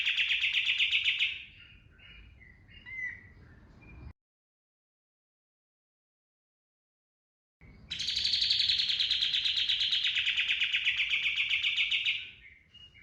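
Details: Kapas tembak bird lure song for training birds: a loud buzzy rattling trill, softer twittering, a silent break, then a long, steady rapid-fire 'tembakan' burst of about four seconds.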